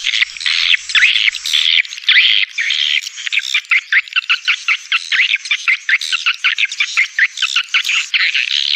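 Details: Swiftlet calling sound meant to attract edible-nest swiftlets, layered in stereo: continuous high buzzy chattering with quick chirps overlapping, turning into a rapid stuttering series of short notes midway.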